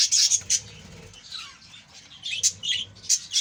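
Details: A budgerigar colony giving sharp high chirps and squawks in short clusters, separated by a quieter stretch of soft warbling.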